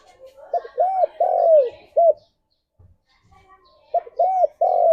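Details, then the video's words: Spotted dove cooing used as a morning lure to bring doves into breeding condition: two phrases of a short note, an arched coo and a long falling coo, separated by about two seconds of quiet with faint low thumps. "Tekukur Gacor Suara - Pancingan Pagi Paling Ampuh Naik Birahi"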